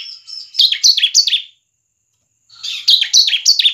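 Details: Bar-winged prinia giving fast 'semi crystal' song meant to draw others into singing: a short string of high, sliding-down chirps, a one-second silence, then a second quick string of similar notes.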